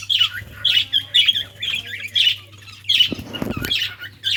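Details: Budgies playing and calling with short harsh chirps repeated about every half second, some warbled, plus a rustle or knock midway under a steady low hum.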